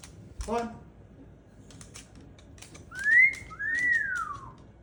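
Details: Pet cockatoo indoors during a dancing session by a running washing machine: one short harsh harmonic squawk, then two loud whistled notes, the first rising and the second arching up and sliding down, with a person speaking just before.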